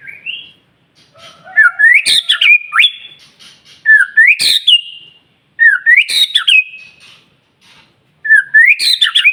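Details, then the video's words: White-rumped shama song meant to trigger other shamas: four similar phrases, each a rising whistle into a loud burst of high notes, spaced about two seconds apart. "murai batu gacor SIANG MALAM GACOR TERUS, Cocok Untuk Memancing Emosi Burung Murai NGELOWO"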